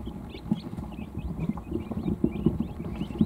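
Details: Quail chicks only a few hours old in a brooder, tired after a small feed and drink, settling under an electric heat plate; short high peeps come in quick loose runs over low rustling and soft bumping from the huddled chicks.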